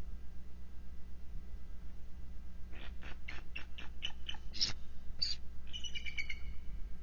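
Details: Bald eagle pair at the NCTC nest on the morning of Feb 19, 2023, exchanging vocals to check on each other while on high alert after intruder attacks; about ten sharp chattering notes speed up, then longer squealing notes, over steady low hum.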